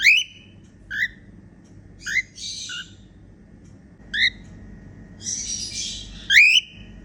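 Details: Female cockatiel singing happily, mixing rising whistled chirps with a couple of harsh, hissy squawks, notes spaced about a second apart over a low steady hum.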